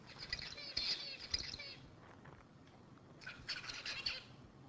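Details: A male zebra finch's recorded song, one of three males played in a lecture, gives two short bursts of buzzy, nasal, harmonic notes separated by a brief pause, played back in a quiet room.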